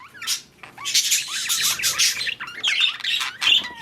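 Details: Budgerigars in breeding season: a short rising chirp, then a steady run of harsh squawks and scratchy chatter, ending with clear whistled upward notes.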